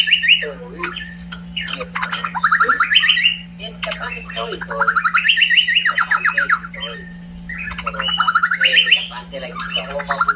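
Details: Cucak pantai, a bird endemic to Papua, singing a long, varied chattering warble of rapid rising and falling whistled notes in sweeping runs; a steady low electrical hum underneath.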